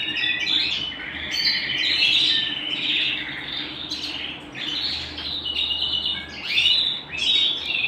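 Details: Caged canary at home singing in bursts of lively warbled trills and chirps, each phrase swelling then dropping away before the next starts.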